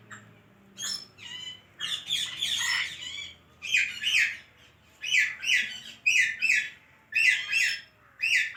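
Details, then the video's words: Talking parrot kept as a pet: a long rasping phrase, then a series of paired, voice-like squawky syllables repeated roughly once a second, with quiet gaps between. "Adorable Talking Parrot"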